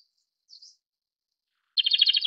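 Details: A faint high note from a Japanese robin, then after a pause a loud fast trill of evenly spaced pulsed notes that runs on to the end.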